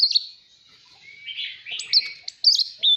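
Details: Oriental magpie-robin song used to spur rival singing and coach young birds. A thin sustained whistle gives way to a run of sharp, varied whistled notes that come in quick bursts.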